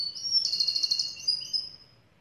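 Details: Song of a black siskin: one sustained, rapidly vibrating high buzz lasting about a second, followed by a few clear whistled notes that fade out.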